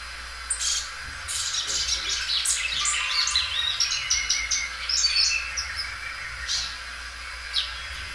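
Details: Belgian canary, a well-kept bird noted for loud singing that stretches its song several times, delivering a busy high warbling run of twittering notes and trills, with a faint low hum underneath.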